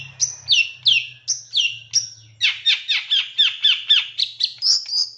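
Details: Long-tailed shrike master recording for training captive birds, packed with fill-in phrases: a run of sharp descending whistled notes, then a faster chattering series of short downslurred chirps about four per second, ending in a high rising whistle; faint low hum beneath.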